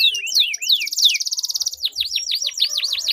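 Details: Canaries in a singing duel, a long rolling song used to prompt silent canaries to sing: high descending sweeps, then a rapid buzzy trill, then looping V-shaped whistles. The sound is clean, with faint low thumps.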